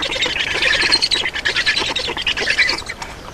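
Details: Black storks being fed at their Estonian nest, 31 May 2019, 11:48: rough, hoarse chattering squawks delivered in fast bursts, fading slightly toward the end.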